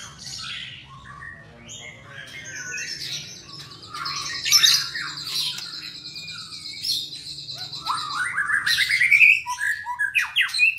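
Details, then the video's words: Captive white-rumped shama, albino and blorok colour forms, singing in Indonesia: varied loud whistles, harsh chattering bursts and rapid buzzy trills, rising in intensity toward the end, with a low hum underneath. "Burung Murai Termahal_Murai Batu Albino & Murai Batu Blorok EXTRIME"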